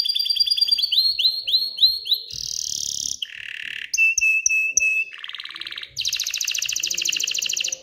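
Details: Canary in excited song to encourage females to pair and build a nest, moving quickly through varied tours: curling repeated notes, a harsh buzz, a pure steady whistle, then fast chattering trills.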